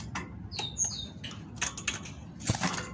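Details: A female great tit sings, used to prompt males to sing: a few thin, high whistled notes that slur downward, mixed with sharp clicks, fluttering taps and a brief burst of rustling noise.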